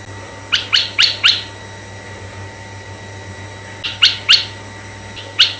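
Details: Lure song of the red-eyed bulbul for attracting bulbuls of either sex: a quick run of four sharp chirps, a long silence, then three more and a lone final chirp, over low constant hum.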